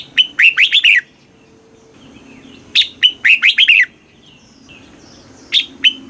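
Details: Thai southern master-style red-whiskered bulbul song for stimulating caged birds: cheerful phrases of five or six quick, liquid slurred whistles, repeated after pauses of about two seconds, the last phrase cut short by the end.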